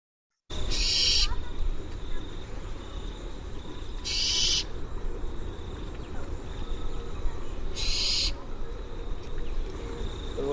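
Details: Barn owl (Tyto alba), India, screeching at night: three harsh, hissing screeches, each under a second, about four seconds apart, over low rumble; chicks calling for food during breeding.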